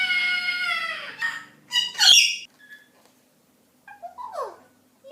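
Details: A pet Eclectus parrot chatters and talks indoors: a drawn-out, falling, voice-like phrase, a burst of harsh squawks, then a few quick downward-slurred notes.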